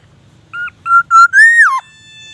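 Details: Black-naped oriole in lively song, mimicking a magpie robin and an ambulance siren: three short fluty whistles on one pitch, then a longer slurred whistle rising and falling away, over a faint low hum.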